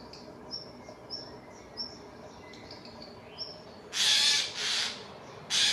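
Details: Eurasian jays harassing an eagle owl in Dannenberg (Elbe), Germany, on 31 May 2024; soft high chirps from other birds come first, then three loud, harsh, rasping screeches burst in near the end.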